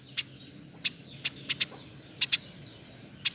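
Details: Eurasian tree sparrow from a recording used to train other songbirds, here giving only scattered single and paired high, sharp chirps at irregular intervals over a quiet low hum.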